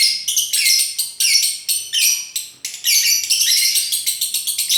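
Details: Konslet-style lovebird song: loud piercing chirp bursts separated by brief gaps, some notes rising sharply, then a long unbroken run of rapid scratchy chatter toward the end.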